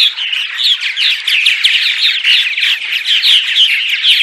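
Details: Purple martin colony sounds by day: a thick, steady mix of liquid gurgles, chirps and croaky notes from many birds, with a few loud squeaks standing out, for luring migrating martins to nest houses.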